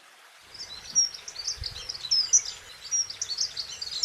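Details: Dunnock song, soft and melodious: a fast, high, tinkling warble of jumbled notes that runs almost unbroken for over three seconds, with a few brighter squeaky peaks and faint background noise.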